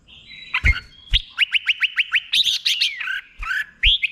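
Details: Caged red-whiskered bulbul singing a slow, clear 'boen' (doubled) song for training birds to copy: a long thin whistle, then a run of eight quick identical rising notes and bright falling phrases, with several dull knocks in the background.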